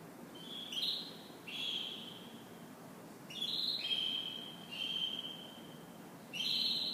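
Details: Canary heard in the morning giving short separate whistled phrases, each a sustained high tone with a buzzy start, spaced by gaps of about a second.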